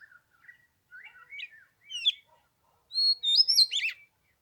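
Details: Oriental magpie-robin singing on the third day of Lunar New Year in 15-degree cold: rising, varied whistled phrases that climb from low slurred notes to bright high warbles near the end, then silence.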